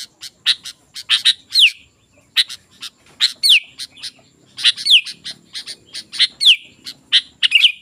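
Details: Sooty-headed bulbul singing energetically, played to draw wild bulbuls to answer: bursts of crisp high chirps separated by short pauses, with quick downward-sliding whistled notes in between.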